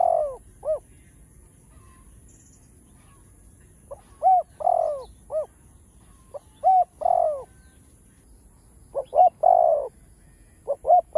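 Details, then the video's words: Spotted dove sings the full chiêu-thúc-gù cooing pattern meant to encourage other doves to call: several groups of low hollow hoots, each ending in a long drawn coo, over eleven seconds with pauses between. "Tiếng cu gáy Đủ Bài ( Chiêu-Thúc-Gù ) kích bổi nhanh gáy"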